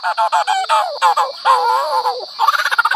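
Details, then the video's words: Lyrebird mimicry: honking, wavering harmonic notes in quick bursts, then a fast chattering run of short notes near the end. "Lyrebird ❗BURUNG ISIAN SUARA BISA MENIRUKAN APA SAJA"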